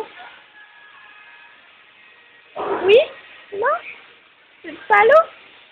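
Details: Amazon parrot kept as a pet, imitating speech and saying hello: three short bursts of bright, rising, whistle-like syllables spaced about a second apart after a quiet start, with faint background music.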